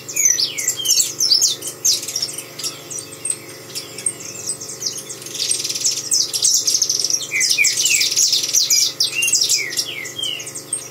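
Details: Saffron finch singing indoors, probably caged: rapid, varied high chirps and tweets in busy, overlapping phrases, some notes sliding upward, forming a steady chattering chorus with only short gaps between bursts.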